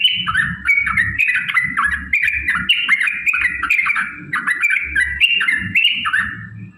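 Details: Lure recording of a yellow-vented bulbul's long combative song meant to provoke rivals: dense bubbling runs of quick falling whistles, phrase after phrase roughly every half second, with a steady low thumping hum underneath.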